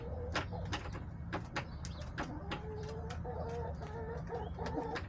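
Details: Hens in a backyard flock, March 30, 2024, giving a run of soft, low, evenly repeated clucks that quicken toward the end, mixed with sharp pecking taps and a steady low hum.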